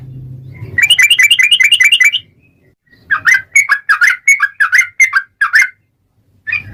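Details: Yellow-vented bulbul gacor ropel song, played as a lure to prompt other bulbuls to sing: a fast even run of ringing notes, a short pause, then looser bubbly chirps at about two per second.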